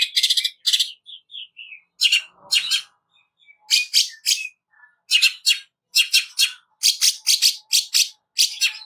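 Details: Greater green leafbird in harsh rapid song, a training recording: bursts of dry, broadband chattering notes alternate with short clear whistles, phrases coming in quick succession with brief gaps.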